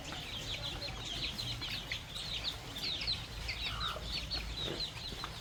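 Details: Farm flock of baby chicks and young chickens eating fresh termites in the countryside, giving rapid overlapping high chirps that slur downward, many birds peeping at once, with a faint low rumble behind.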